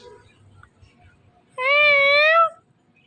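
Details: Pet Indian ringneck parakeet in a male and female pair giving a single sustained nasal wail, almost one second long and slightly wavering, after quiet indoor background murmur.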